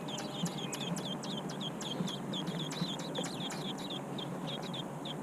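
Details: Large American robin nestlings in a nest making a busy run of short, high squeaky notes, many in quick succession, thinning out near the end, against constant low rumbling noise.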